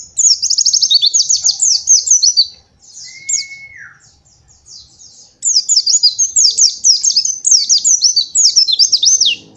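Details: White-eye master song for training young birds: rapid strings of high, sharply rising and falling whistled notes in dense bursts, broken by a lower drawn-out descending whistle and a brief quieter pause.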